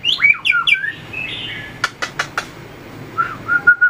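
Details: White-rumped shama in contest-song training, tail flicking and running along the perch; rich looping whistles, then four sharp clicks, then steady clear whistled notes repeated.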